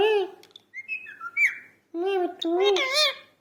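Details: Parrot speaking in short harmonic, voice-like phrases broken by a quick series of whistled notes, indoors.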